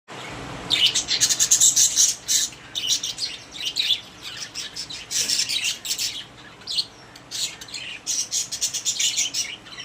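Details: Several pet budgerigars in a cage, cheerful and social, giving dense scratchy chirps and squawky warbling notes in quick uneven bursts, overlapping one another without pause.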